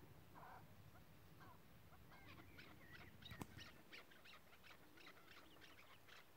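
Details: Chukar partridge calling: a run of short, clipped chuck notes repeated rapidly and unevenly in the second half, over low rumbling background noise, with a brief sharp click midway.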